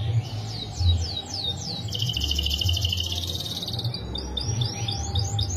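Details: Canary song with long rolling phrases: a run of quick downward-sweeping whistles, then a dense rapid trill, then more sweeping chirps, over a steady low rumble.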